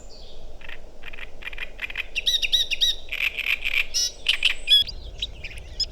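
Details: Great Reed Warbler singing in May among riverside vegetation in Małopolska, Poland, as part of a spring chorus: a harsh, chattering song of grating, creaky notes, about three or four per second, over a low background rumble.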